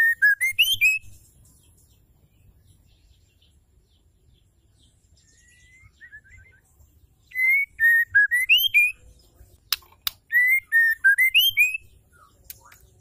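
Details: Female white-rumped shama call used to trigger male singing: three loud phrases of clear, ringing whistles that dip and rise, with a quiet gap between the first two, a sharp click, and faint slurred notes.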